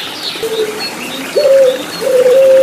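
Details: Puter Pelung turtle dove, a kept songbird, heard in a recording meant as therapy to get silent birds singing again. Short, clear, level whistled coo notes, the later two louder and held longer, over a soft hiss.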